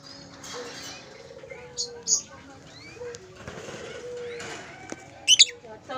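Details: Lovebird chicks inside a nest log at a bird farm give thin, high chirps with a few sharp squeaks, over a low murmur of softer calls and faint background noise.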